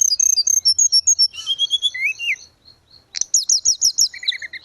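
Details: Grey-cheeked bulbul in full song, used as a training recording for cage birds: a quick string of high whistled chirps, falling slurred notes, a pause, then another rapid chirp run.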